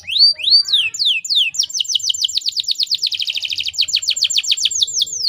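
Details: Female canary in breeding condition, played to get males singing: a few loud rising sweeps, then a long, very fast trill of repeated notes that tightens into a dense roll before loosening again.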